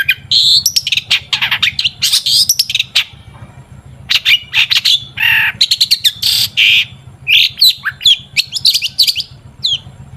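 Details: Long-tailed shrike song used as a lure to make shrikes sing: a dense, fast run of harsh squawks, chirps and high whistled notes in quick bursts, with a steady low hum underneath.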